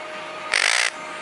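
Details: A pet monk (Quaker) parakeet, a week after arriving at its new home and starting to imitate speech, gives one short, harsh, grating squawk lasting under half a second.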